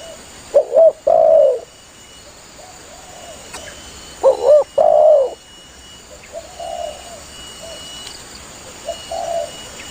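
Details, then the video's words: Spotted dove calling vigorously to its companions, used as a hunting lure: two quick low coos followed by a longer, falling coo, given twice about 3.5 seconds apart, with softer faint coos in between. "Suara burung tekukur Gacor memangil temannya"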